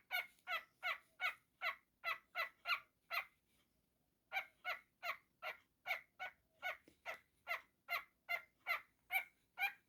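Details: Young pet cockatiel making funny noises indoors: a long series of loud, rough, evenly paced squawk notes, about two to three per second, broken by a short pause midway, with faint room noise.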